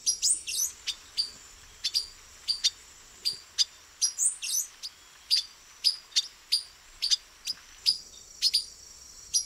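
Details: Male silver-beaked tanager (pipira-vermelha) perched hidden among branches, giving sharp, clipped high chip notes in an irregular series, roughly one or two per second, with a few brief twittering bursts mixed in; quiet background.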